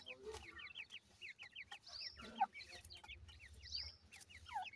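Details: Young grey francolins call to their mother in rows of short, high, hooked peeps given in fast runs of three or four, with occasional clicks and a soft scuffle.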